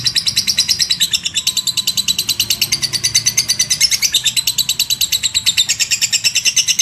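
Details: Lovebird in ngekek, a long chatter style: an unbroken stream of shrill, high, clipped notes at about three per second, held steadily throughout with no pause.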